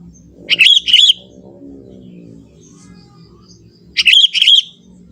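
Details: Young wild Sooty-headed Bulbul from the forest, singing its natural song without imitated phrases: two short, bright, bubbling phrases of fluty rising-and-falling notes about three seconds apart, over a faint low background hum.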